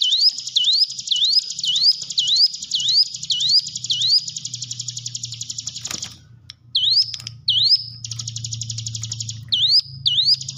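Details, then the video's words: Hill prinia training song meant to coax caged birds to sing: a run of eight rising whistled notes, then long rapid buzzy trills broken by further upslurred whistles, a sharp click midway and low background hum. "ciblek gunung diam saja kurang loss mental ciut latih dengan pancingan ini"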